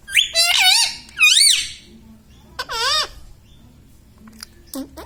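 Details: Laughing pet Indian ringneck parrot: two loud, strained rising-and-falling squawks, a pause, then a third. A few soft clicks and a short squeak close the sequence.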